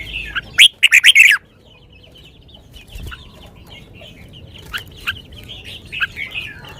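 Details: A red-whiskered bulbul delivers a lak wai song, sweet in tone: a fast burst of about five loud, bubbling, slurred notes near the start, then quieter scattered chirps and twitters of other birds fill the rest.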